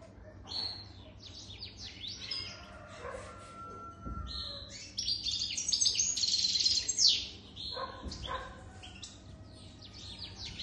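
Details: European goldfinch jadr, older than three years, sings in quick twittering runs of high notes, swelling into a loud rich burst midway before tapering off. Low thumps are audible.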